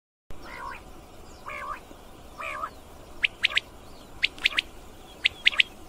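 Common Quail gives three soft, nasal mewing notes, then sharp, liquid three-note phrases, 'wet-my-lips', about once a second.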